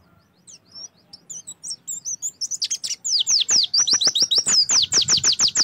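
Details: Bright Oriental white-eye song used as a lure for singing: soft twittering notes that build into a loud, fast train of high descending whistles repeated steadily to the end.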